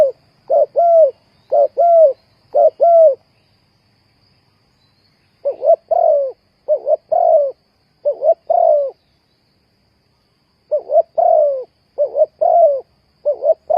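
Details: Decoy spotted dove used to lure birds into traps. It gives bursts of low coo phrases, each a quick doubled note and then a drawn-out descending coo, with pauses of a few seconds between runs. The background is quiet.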